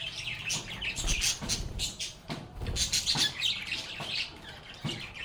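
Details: Lovebirds, pet birds, singing, playing and chatting together; a dense stream of high, overlapping chirps and twitters from several birds, with soft low thumps and rustling beneath.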